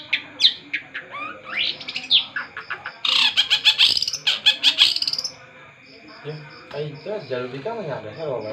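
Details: Long-tailed shrike pouring out song: scattered chirps build into a dense, rapid chatter of harsh notes lasting about two seconds, then softer, lower twittering follows. A faint steady hum sits beneath.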